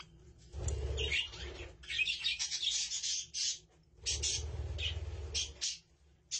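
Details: Budgerigars with chicks chattering in two bursts of rapid, high, scratchy chirps and twitters separated by short pauses, over a low hum.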